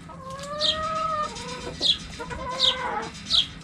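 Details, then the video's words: Backyard chickens: hens give drawn-out, wavering clucks with a bright chirping accent repeated about four times, other flock noises behind. "Chicken Sounds Noises Hens Clucking Roosters Crowing!"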